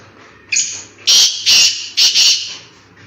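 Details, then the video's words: Black francolin in forest calling once, loud and close: a thin high lead note, then four rough, grating notes in a quick, even rhythm. "BLACK FRANCOLIN VOICE | جنگل میں کالے تیتر کی خوبصورت ذبردست آواز"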